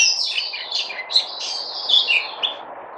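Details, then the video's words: White-eye (Puteh) recorded 03082020, a high, rapid twittering song of short slurred notes and trills, with faint low background hum. "Puteh Crazy"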